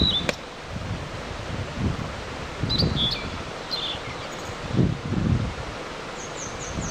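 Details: Blue-and-white flycatcher, filmed by digiscoping, singing at length in early morning above a mountain stream near a highland plateau; short clear whistled notes come in scattered bursts, some sliding down, with high thin notes at the end over a rumbling, rustling water background.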